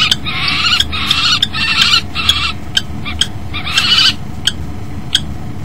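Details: Common kestrels at a nest box at 09:13 on 10 February 2012, where the male crashes in, the female lands on the rim and mating follows. They give harsh, buzzy trilling bursts with sharp clicks between, over a low rumble.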